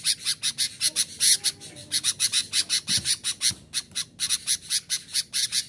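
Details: Sooty-headed bulbul voice aimed at rival wild birds and luring them in: dense, harsh chattering pulses repeated rapidly for several seconds, with a couple of faint low knocks in the middle.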